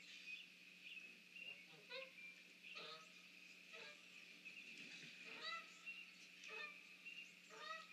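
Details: Morning of 30 March 2019, mallards mixed with unidentified ducks beneath trees by a snag give a loose series of short nasal quacks, roughly one per second, some overlapping, against a constant high-pitched hum.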